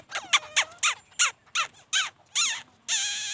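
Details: Laughingthrush singing: a series of about nine loud, harsh, arched notes spaced roughly a third of a second apart, ending in a longer rasping note.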